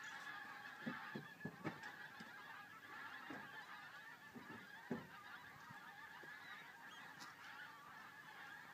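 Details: Flock of pink-footed geese heading out over RSPB Frampton toward The Wash, giving a steady wall of overlapping yelping honks, with scattered low thumps and a few louder bursts beneath the chorus.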